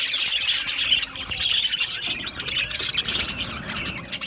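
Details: Australian budgies chattering together in an aviary colony, with shrill overlapping chirps and short squawks forming a busy, unbroken wall of high twittering.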